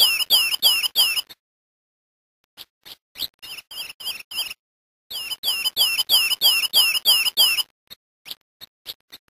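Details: Brazilian grey-eyed greenlet delivering rapid runs of sharp, high, downward-sweeping notes, several per second, in two loud bursts separated by pauses and scattered softer notes; no other sounds.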